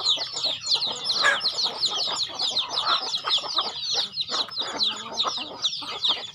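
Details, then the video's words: Chickens being fed on a farm peep in a busy, overlapping chorus of high falling notes, mixed with pecking knocks and wing or feeding noise. "Feeding chicken in my farm"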